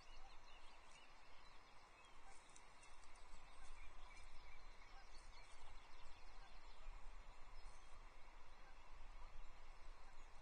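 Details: Ospreys at a Loch Arkaig nest on 19 May 2023, one eating a small breakfast brought by its mate: faint, high, rapid chirping calls repeated through the clip over heavy, steady low wind rumble.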